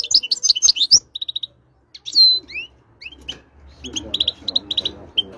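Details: Goldfinch singing in short spurts of quick twittering notes, liquid sliding whistles and brief pauses, ending with rapid chirp runs over a faint low background murmur.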